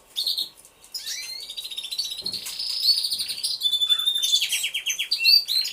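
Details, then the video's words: Several canaries sing at once inside an aviary, caught on a hidden camera. High whistles, buzzy rolled trills and a long steady trill in the middle blend into a lively continuous chorus. "CANTO DE CANARIOS"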